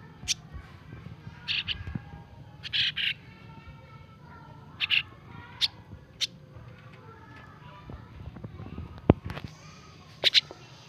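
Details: Young starling nestlings, hand-fed every day, give scratchy, hoarse begging rasps. The rasps come singly or in pairs every second or two, mixed with faint clicks and handling noises.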